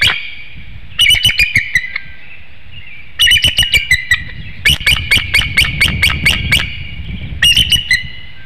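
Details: Bald eagle at a nest webcam in Hanover, Pennsylvania, at 6:36 p.m. on 7 April 2019, crying out a warning as an intruding eagle passes through the woodlot: bursts of high, thin, rapid chattering whistles in several series, with low rumble beneath.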